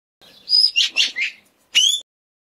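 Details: An Indochinese green magpie (Cissa hypoleuca) in an encounter with a Dione rat-snake gives four quick, harsh, squealing notes, then after a short pause one shrill note that rises at the end.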